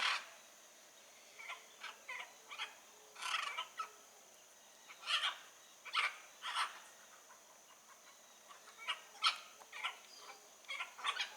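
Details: Wild blue-and-yellow macaws calling from some distance, a steady scatter of short rasping squawks and croaks, roughly a dozen softer bursts spread through the recording.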